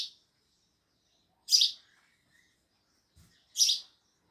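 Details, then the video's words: Sparrows chirping: short, sharp, bright chirps spaced about two seconds apart, three bursts in all with near silence between them and a faint low thump just before the last chirp. "Sparrows Loud Chirping Sounds"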